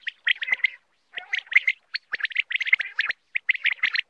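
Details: Quail calling in dense bursts of short, bright chirping notes grouped in clusters of three to five, separated by brief pauses, with a clean background.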